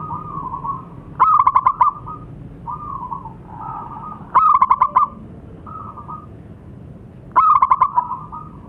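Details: Lively local zebra dove uttering three stuttering cooing phrases roughly every three seconds, each a quick string of pulsed beats at a steady mid pitch, with fainter soft coos filling the gaps over a faint low hum.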